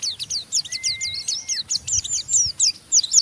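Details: Oriental white-eye giving rough ngeriwik chatter to stimulate other white-eyes; quick high jagged twitters in steady succession with a thin level whistle running underneath early on.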